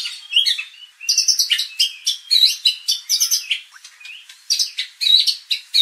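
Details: Lure song of white-rumped shama for fighter training of contest birds; bursts of sharp, varied whistles and rapid twitters separated by brief pauses, bright and high-pitched throughout.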